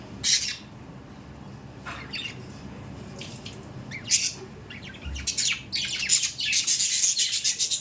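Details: Pet budgerigars chattering: scattered scratchy chirps and squawks, building into a dense, continuous warbling twitter toward the end, with a brief low thump in the background.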